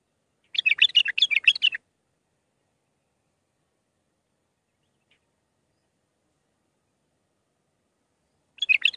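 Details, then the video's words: Bulbul song in the Mandalawi style, played to teach young birds. One dense, rapid burst of jumbled chirping notes lasts about a second, followed by a long quiet gap before another phrase begins. "للتخريج االمخاليف. مندلاوي ب6 لسانات طبك شدة ورد تكي حلو جيب ورد بنت الورد طياري"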